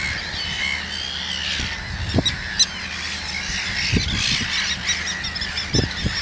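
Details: Common terns near chicks a few days old, Gothenburg's archipelago: a drawn-out falling grating cry opens, then scattered harsh calls from several birds, with wind bumps in the background.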